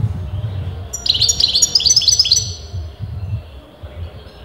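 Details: European goldfinch, its sex disputed by breeders, singing a single fast run of high, sparkling twittered notes lasting over a second, over a continuous low rumbling background.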